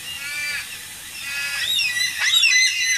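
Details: Carnaby's black cockatoos at a bird bath in Subiaco, Perth, Western Australia, give drawn-out, wailing, slightly nasal calls that overlap and grow louder and busier in the second half.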